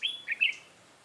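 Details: Red-whiskered bulbul decoy bird used in trapping, 3 November 2018, giving one short fighting-song phrase: a quick bright whistled note followed by two slurred, warbling notes, then quiet.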